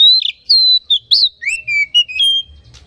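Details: Oriental magpie-robin singing as a lure to rouse other magpie-robins: a rapid string of clear whistles, long level notes mixed with slurred and falling phrases, loud and close throughout.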